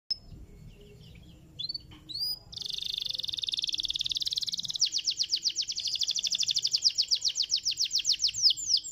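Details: Canary song played to stimulate other canaries to sing: after a quiet start with a few faint notes, a dense high trill begins and runs on as fast, even pulsed notes, growing louder.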